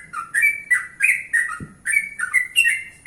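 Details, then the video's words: Morning song of a yellow-vented bulbul, natural voice, given to draw replies from other bulbuls; short series of rich, gurgling whistled phrases rising and falling, about five quick notes in three seconds, one soft low thud midway. "Trucukan Gacor 100% Suara Alami ||Suara pagi hari||.trucukan lain pasti nyaut"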